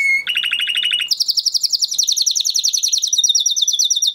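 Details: Crested Huppe Spanish Timbrado canary from 2020 breeding in a flock, singing to train other canaries: a single whistle, a quick lower rattle, then a long high pulsing trill of rapid repeated notes.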